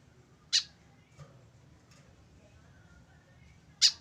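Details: White-breasted woodswallow, tame and kept alone without a companion, gives two loud rasping notes about three seconds apart, with a couple of faint softer sounds between and low hum.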